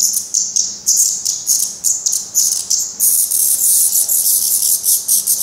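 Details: Black Redstart fledglings in Portugal, still downy and fed by their parents at the nest; thin, high calls repeated in uneven bursts, growing into louder, continuous hissing chatter in the second half.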